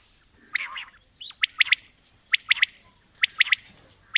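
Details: Female and male quail calling, somewhat distant. Crisp three-note bursts recur about every second, with one rising whistled slur near the start, over a soft constant hiss.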